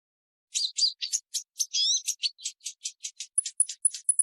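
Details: Purple-throated sunbird producing a continuous chain of sharp, high, buzzy and twittering notes, roughly four or five per second, ending in thin, piercing whistled chips.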